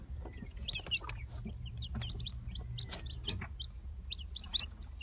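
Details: Brahma chicks in the 2018 season: high, short peeps from several chicks scattered through the recording, over a steady low rumble and occasional clicks and knocks.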